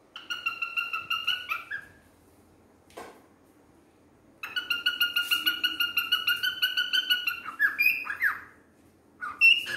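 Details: A male cockatiel (Nymphicus hollandicus) sings bursts of rapid, repeated whistled notes with sliding chirps between them.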